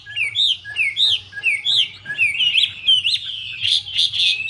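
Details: Female Chinese hwamei dancing with fanned plumage to spur the male; distinct looping whistles repeated about once a second, then a run of sustained sweet notes ending in harsh, buzzy bursts.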